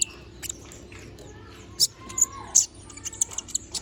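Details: Little spiderhunter singing actively, with sharp, very high, short chirps and ticks scattered irregularly, a few louder accented notes near the middle, over a low steady hum.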